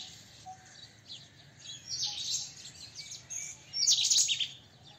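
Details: White-throated kingfisher (white-breasted kingfisher) giving high, harsh, chattering bursts, a short one near two seconds and a louder shrill rattle around four seconds, over a faint hum and soft short tones.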